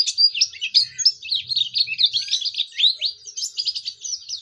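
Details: High chattering Oriental white-eye song, meant to prompt other white-eyes to sing: quick descending and rising chirps tumbling together in a dense, excited string, with a faint low murmur early on.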